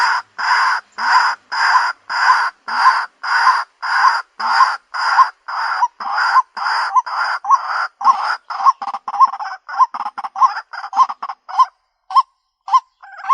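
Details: Ruak-ruak lure call from a white-breasted waterhen: strong, grating notes in a steady rhythm, tightening into quicker, thinner clucks near the end before trailing into gaps of silence.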